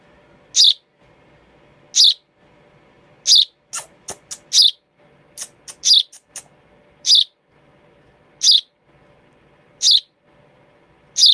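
A baby sparrow gives sharp, high chirps about every second and a half, with a few quick clicks between them over a faint low hum.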